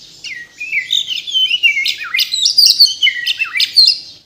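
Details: Energetic white-rumped shama song from a Borneo bird of Kalimantan origin, full of isian: a dense, continuous stream of varied high chirps, swoops and rapid twittering with no gaps.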